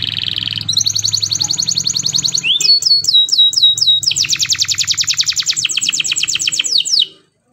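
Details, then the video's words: Morning canary song meant to set other canaries singing: a buzzy opening, high rolling trills, a run of rising sliding whistles, then dense fast trills before stopping abruptly. "PANCINGAN KENARI PAGI HARI"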